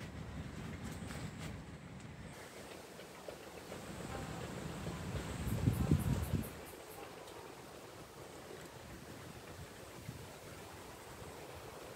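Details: Low wind rumble throughout, with a louder gust around the middle and a few faint high ticks, but no clear animal calls.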